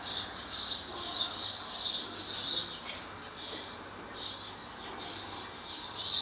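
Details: Singing male barn swallow near its nest and mate, Skala Kallonis, Lesvos, Greece, 10 May 2014; high scratchy twitter bursts come every half second to second, separated by short quieter gaps.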